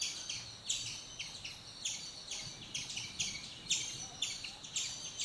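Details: Black-rumped flameback, one of a pair investigating a tree hole for nesting: harsh, buzzy high notes repeated roughly twice a second in an uneven series over a faint low background hum.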